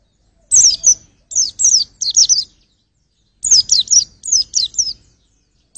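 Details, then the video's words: A white-eye delivers short clusters of sharp, high sweeping chirps, with a longer silent gap mid-way before another run of notes. "pleci buat ngetes vokal"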